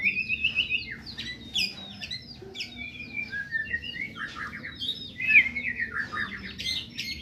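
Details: White-rumped shama from Medan singing a busy stream of varied whistled phrases, with rising and falling slurs and quick chirps following one another without pause.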